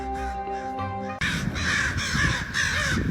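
A raven gives deep, harsh, rasping calls in a quick series of about four. Sustained musical tones come first and continue faintly underneath.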